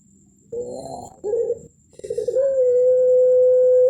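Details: Barbary dove of the puter pelung line, a singing-contest winner with the long melung voice and thick ending, gives two short husky coos, a pause, then a rolling coo that swells into a pure, sustained tone held to the end.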